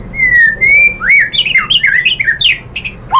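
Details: White-rumped shama, known locally as murai batu, singing to provoke other birds into song: long clear whistles, then a quick run of varied rising and falling whistled phrases mixed with sharp chirps.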